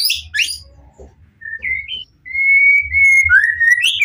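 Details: White-rumped shama singing to draw replies from other shamas: high buzzy notes at first, then short upslurred whistles and long steady pure whistles, low hum beneath.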